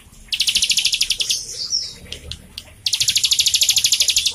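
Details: Bar-winged prinia kept in captivity, its song used to prompt untrained birds: two bursts of fast, sharp, high repeated notes, separated by a short section of softer chirps and a slurred whistle.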